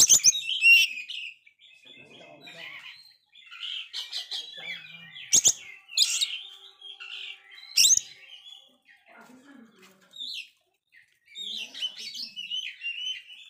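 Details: Prolific Oriental magpie-robin with a failed moult, sung to lift the spirit of flagging birds; long run of fast chirps, sharp harsh bursts and short whistles, broken by brief pauses.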